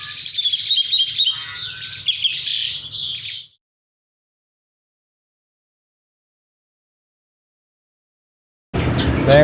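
An Asian pied starling gives its natural rolling song: a dense, rapid run of chattering, whistled and scratchy notes for about three seconds, then a pause before a burst of other sound.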